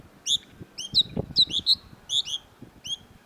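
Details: Long-tailed shrike (cendet) in a tutor recording: quick bright chirps with short downward flicks, given in small clusters of two or three, over a faint low background hum.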